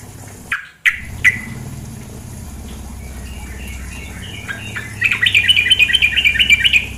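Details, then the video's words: Female sooty-headed bulbul with running water behind: a few sharp separate notes, soft scattered calls, then a sustained burst of rapid, harsh chattering in the last two seconds. "terapi suara trukcuk betina"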